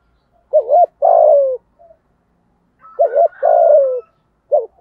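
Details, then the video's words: Spotted dove giving its provoking coo aimed at a rival male, the phrase repeated twice and starting a third time: a short wavering double coo, then a long, steady, gently falling coo, with a thin high whistle in between. "Tiếng cu gáy giọng thổ thúc gù kích bổi hiệu quả/ chim cu gáy kích bổi"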